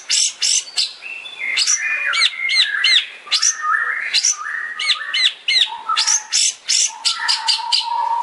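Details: Long-tailed shrike in 'tembakan' style song, a master recording for training songbirds: varied high whistled and slurred notes, some buzzy, delivered in quick irregular bursts of about three per second, with a few lower steady tones.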